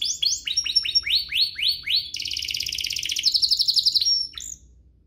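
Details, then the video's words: Provoking canary song for rousing other canaries: a run of rising swept notes, about four per second, gives way to a dense rapid trill and a short whistle before fading out. "Pancingan kenari biar GACOR, kenari manapun langsung naik emosi habis dengar ini"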